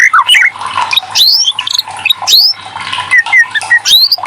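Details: Varied white-rumped shama song, used to coax reluctant birds to sing. It gives loud, clear whistles, upward-swept notes and short chattering phrases, delivered continuously with brief pauses.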